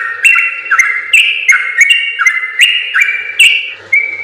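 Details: Sooty-headed bulbul giving a sustained tutoring song: bright whistled notes in linked phrases, each starting with a sharp attack and stepping between high and lower pitches, ending on a falling note.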